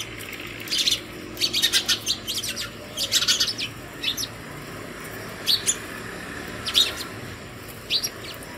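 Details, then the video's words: Morning house sparrow calls summoning other sparrows to food near a hanging bird feeder at home; bursts of quick, sharp chirps in rapid runs, then scattered single notes, over a constant low hum. "Sparrow Bird Call other Sparrows for Food in the morning"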